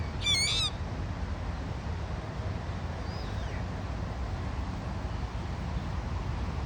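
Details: Dusky moorhen chick, foraging on a lakeside lawn with siblings and a parent, gives one quick burst of high, thin, stacked squeaks, then a single faint squeak, over steady low rumbling background noise.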